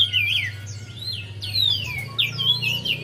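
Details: High twittering song of a Javan white-eye, used to encourage a lazy singer: slurred swooping whistles and quick warbled notes in a short dense sequence, with a constant low droning hum.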